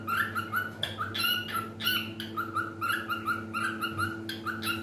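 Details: Pet cockatiel singing: a continuous run of quick chirpy whistled notes, several per second, with a constant low electrical hum beneath.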